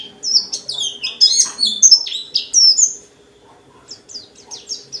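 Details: White-eye of the dakun type, singing energetically in the ngalas style with many varied phrases to rouse other white-eyes: a burst of rapid, high, sliding twitters and chirps, then quieter, scattered high notes, over a faint low hum.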